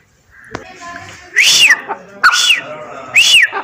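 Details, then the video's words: Calls of a female grey francolin, known locally as teetar: after a soft, muffled start, three loud, ringing, arched notes rise and fall, spaced under a second apart. "Teetar ki awaz \ teetar voice \ teetar ki sound \ female teetar awaz"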